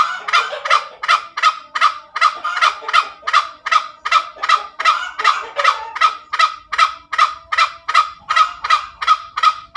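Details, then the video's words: Very tame junglefowl cackling its ngekek call: an unbroken string of some two dozen harsh, rasping notes at a quick, even rhythm, with faint low sounds in the background. "SUARA AYAM HUTAN NGEKEK SUPER MERDU"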